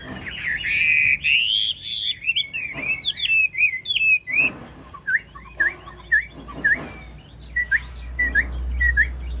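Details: Chinese hwamei, a caged, big-bodied 'ngũ trường' bird that nods and lion-dances as it sings, gives a rich warbled phrase followed by a series of short, separate whistled notes about every half second.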